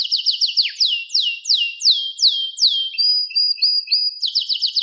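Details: Canary singing a rhythmic series of falling whistled notes, about three per second, broken by a brief warbled passage and resuming quickly.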